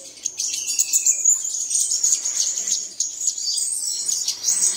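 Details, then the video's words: Early-morning playback to prompt caged birds to sing. Continuous shrill chattering and rapid trilled notes from several birds, with one brief descending whistle near the start. "Bật Tiếng Chim Này Lên Vào Sáng Sớm Chim Của Bạn Sẽ Hót Ngay"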